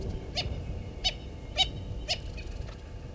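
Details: Natal spurfowl family at Gowrie dam waterhole, Djuma Game Reserve, Sabi Sand Wildtuin, South Africa, on a live waterhole camera dated 09/11/19. Four loud harsh cackling bursts come about every half second, over steady insect buzz and low rumble.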